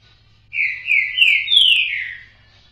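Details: Whistled song of a green-winged saltator: a short run of slurred notes ending in a longer bright note that drops away, about one and a half seconds long, with a faint low hum beneath.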